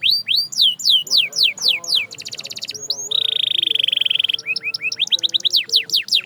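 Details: Canary singing a varied song: series of fast descending whistled sweeps, a rapid buzzy rattle, a long steady high trill, then more rapid falling notes repeated about four per second.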